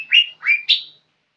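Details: Young lesser green leafbird singing: three separate slurred whistles, the last higher and brighter, fading out within a second. It is quiet otherwise.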